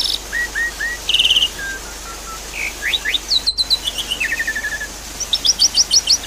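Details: Javan pied starling, set over flowing water as therapy audio to restart a silent bird's song: varied whistles, buzzy and slurred notes, short chattering runs and a closing rapid string of bright chirps.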